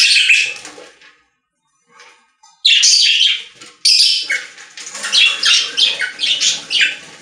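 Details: Several budgerigars in a pet store sing in bursts: a short chirpy phrase, a pause of nearly two seconds with faint sounds, then loud rapid warbling and squeaky chatter, rising and falling in quick pulses.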